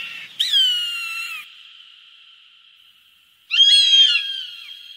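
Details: Hawk calls to drive away birds: two piercing, hoarse screams that slide downward, separated by about three seconds of ringing echo.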